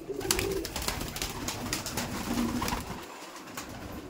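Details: Laldom pigeons kept in a loft in South 24 Parganas, with two short, low coos, one at the start and one later, amid clatter and handling noise.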